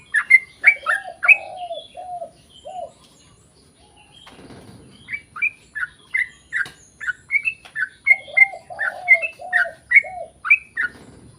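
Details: Long rolling song from a sooty-headed bulbul, meant to prompt other bulbuls to sing along. Bursts of quick bright chirps alternate with lower slurred whistles, broken by a short pause and a rustle midway.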